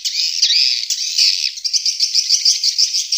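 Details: Swiftlet lure call for drawing in swiftlets: a steady shrill buzzing twitter, with a smoother stretch early on that turns into quick, evenly pulsed high chirps.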